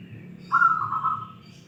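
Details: Single short phrase from a local wild zebra dove prized for its 'crystal' voice: a bright, rippling trill that starts sharply, then fades, over a soft low background hum.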